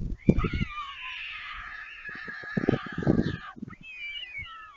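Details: Young white storks at a nest on the Leemansmolen in Vriezenveen, Netherlands, 11 July 2022, back from flying as a parent sits on the nest, during feeding: drawn-out wailing, mewing begging calls with bursts of rapid dry bill-clattering, then a fresh rising wail.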